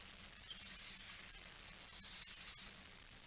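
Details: Barn owl in a nest box at night, 13 September 2019, with a female and small chicks present; two drawn-out, rasping hiss calls of about 0.7 seconds each, a second apart, over a steady low background hum.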